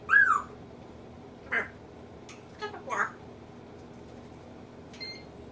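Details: Caged African grey parrot talking and mimicking, opening with an arched whistle-like note, followed by throaty speech-like syllables and a faint high tone near the end.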